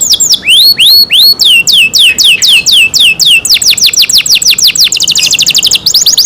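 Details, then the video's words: Canary in care singing: rising whistled notes, then a long series of steep downward sweeps repeated several times a second, ending in a rapid buzzy trill and a few more sweeps. "canary Nice sound"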